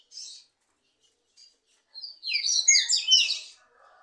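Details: Two green-winged saltators compete in a singing contest: a couple of brief high notes, then a loud, rich phrase of slurred whistled notes lasting about a second and a half.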